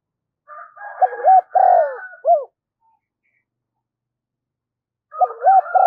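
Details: Spotted dove lure call to bring in wild doves: a soft churr, two coos and a falling hooked note, then after a pause the phrase begins again.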